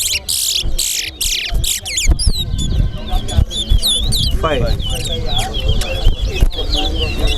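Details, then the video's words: Towa towa (chestnut-bellied seed finch) singing in a bird race at Sheriff Street bird ground. Short, bright whistled phrases rise and fall amid loud crowd chatter and a man counting the songs aloud. "TOWA TOWA BIRD RACE"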